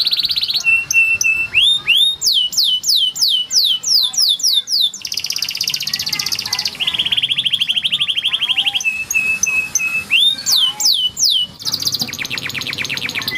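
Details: Canary training song from a yellow canary, fast and varied: repeated sweeping slurs, steady lower trills, rising whistles and long rolling phrases in a continuous stream.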